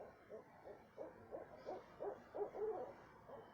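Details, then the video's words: Owl calling at 2:30 am in south central Texas: a series of short, soft, low hoots repeated roughly every third of a second, rising slightly in pitch and loudness toward the end, over a faint steady background hiss. "what kind of owl makes noise like this"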